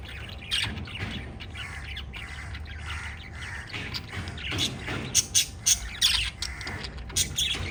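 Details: Five lovebirds in a pet family chirp over a steady background hiss. The high squeaky calls come fast and irregularly, with louder sharp chirps clustered toward the end.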